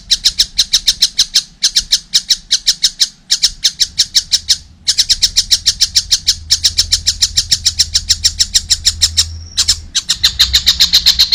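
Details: Long runs of rapid, scratchy kek notes from a young collared kingfisher, already singing eagerly, are interrupted by a few short gaps, over a low background rumble.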